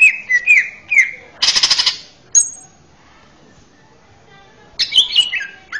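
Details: Male greater green leafbird in song meant for training young birds: slurred whistles, a harsh rasping burst, a high thin note, a long pause, then a jumble of mixed chirps.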